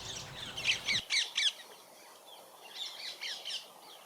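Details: Introduced rose-ringed parakeets feeding on a sunflower crop by local woods near Dartford, South East England, on a sunny autumn day, give harsh screechy calls in quick bursts, about four a second, then fainter calls; brief low rumble at start.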